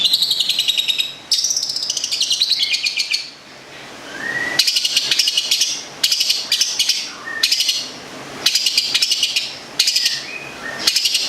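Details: Local cendet, the long-tailed shrike, from Gedong Songo in Central Java, kept as a songbird: repeated bursts of fast, rattling high chatter, each a second or two long, separated by short pauses and occasional soft rising whistles.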